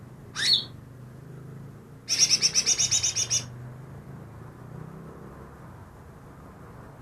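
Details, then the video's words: Recently trapped greater green leafbird, claimed to copy ten other birds' voices: one sharp upswept note, a pause, then a quick chattering string of about twelve high notes, followed by a long quiet stretch and a final note. "burung cucak ijo yang bisa meniru 10 suara burung lain"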